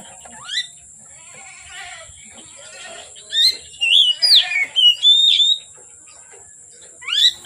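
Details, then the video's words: Oriental magpie-robin in full song from afternoon into night: quiet scratchy notes and an upward swoop, then a run of loud sweet whistled notes, each slurring up and down, against a constant high-pitched hum. "Kacer Gacor Sore Sampai Gelap Malam tetap Bunyi Gacor"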